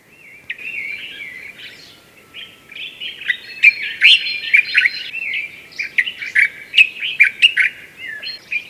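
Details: Several Common Bulbuls singing before dawn in a garden in Morocco's Sous Valley, loud and raucous: overlapping chattering, warbled phrases that build after a quieter start into clustered sharp notes.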